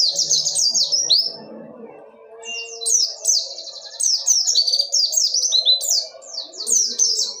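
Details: Oriental white-eye, the dakun wilis type, singing in the ngerol nembak style: rapid, high, sweeping chattering phrases run together in dense bursts. A short lull comes near two seconds, then a continuous run of notes resumes, with a faint low hum beneath.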